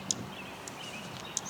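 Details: Dark-eyed Junco near its nest on a school farm in the last week of April 2020, giving three sharp, high chips spaced irregularly over a second and a half, meaning a nest is nearby and asking intruders to stay away; faint whistles and low outdoor rumble behind.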